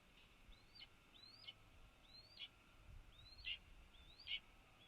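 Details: Red-tailed Hawk at a nest on a light tower above Cornell University's athletic fields during the 2026 nesting season: thin, high whistled notes that rise then drop sharply, repeated five times about once a second over a faint low hum.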